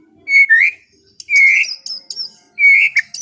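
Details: White-rumped shama in relaxed afternoon song used for calming an over-excited bird: loud rich whistled phrases rising and falling, separated by short pauses, with high thin trills between them.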